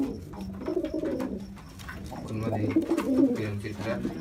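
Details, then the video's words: Jacobin pigeon cooing indoors: low, throaty rolling coos in two bursts, the first fading near the middle and a second, fuller phrase with a deep hum underneath, with faint background murmur. "SOUND OF A JACOBIN PIGEON"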